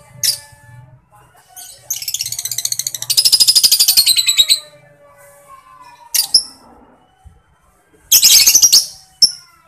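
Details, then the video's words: Lovebird ngekek, a long rapid chattering rattle building in loudness for about two and a half seconds, with sharp ticking notes and another short chatter burst later; low hum beneath. "LOVEBIRD NGETIK dan NGEKEK"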